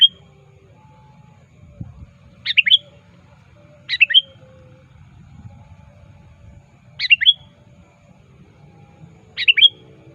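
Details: Sooty-headed bulbul calling a rival, played as a lure: four short phrases of three liquid, dropping notes with a whistled tail, separated by pauses of one and a half to three seconds, soft rumble behind.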